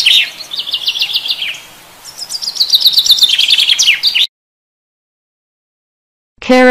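Chaffinch song: two bright, rattling phrases that tumble down the scale and end in a flourish. A pause follows, then a voice starts speaking.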